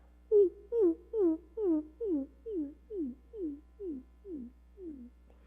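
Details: Greater Roadrunner mating call, heard in December, January and February: a dove-like series of about eleven low, soft cooing notes, each sliding downward, slowly getting quieter and more widely spaced.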